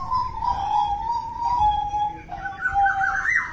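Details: A Papua butcherbird sings a long, sustained whistle that drifts slightly downward, then finishes with a quick rising, warbled flourish at a higher pitch.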